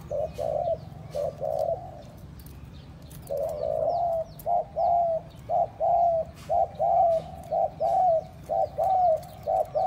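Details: Spotted dove calling to stimulate and lure other doves: low hollow coo notes, a few in the first two seconds, then after a pause a steady run of short coos about one per second, with faint high chirps of other birds behind.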